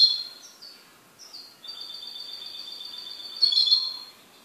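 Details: Singing pet goldfinch: a few high sliding chirps lead into a long, steady trill on two tones, ending in a louder tinkling flourish.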